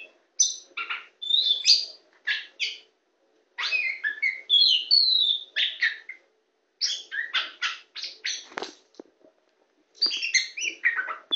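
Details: Tame white-rumped shama singing while perched on a hand: bursts of varied whistles and sharp chirps with fast trills, broken by short pauses between phrases.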